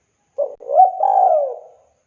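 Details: Local Indonesian spotted dove used as a training model for young birds: one clean cooing phrase, a short low note followed by a longer rolling, slightly falling coo, with no background noise.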